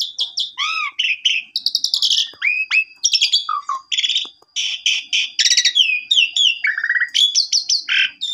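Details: Full, busy song of an Asian pied starling, played to stimulate a bird that will not sing; mixes arched whistles, harsh buzzy chunks, quick chips and a sustained thin tone running beneath the phrases.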